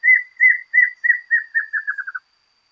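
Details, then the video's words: A Rufous-capped Antshrike sings about eleven slurred, down-inflected notes that speed up and drop slightly in pitch over two seconds, over a faint steady high hum. "Choca amarilla"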